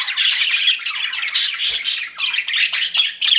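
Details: Several pet budgies chirping in bursts: short squeaky and buzzy warbled phrases, each lasting a fraction of a second, with a few brief gaps between them.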